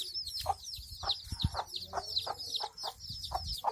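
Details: Hen with her chicks: soft low clucks repeated about twice a second under a constant dense chorus of high, shrill chick peeps, with a few thumps and rustles.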